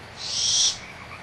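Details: Owlets of the barn owl at Audubon Starr Ranch Sanctuary, excited during a squabble over a food scrap while the mother is near: one loud, harsh hissing screech lasting about half a second.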